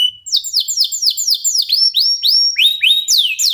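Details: Local canary song used to get other canaries singing: rapid series of high, downward-sweeping notes repeated about four times a second, shifting into lower swooping phrases.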